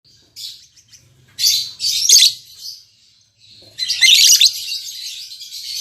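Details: Newly paired captive lovebirds, an albino MM male and a lutino MM female, giving bursts of harsh, noisy high chatter in two main spells separated by a short quiet gap.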